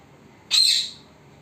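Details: Pet parrot, recorded secretly so it would not see, giving a single short harsh squawk with a rasping high tone, against a quiet room.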